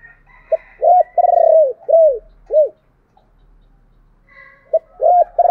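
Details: Spotted dove used as a decoy, in thúc and calling-coo style. A brief opening note leads into a stuttering, drawn-out coo and three falling, arched hoots, with a silent gap before the next phrase begins.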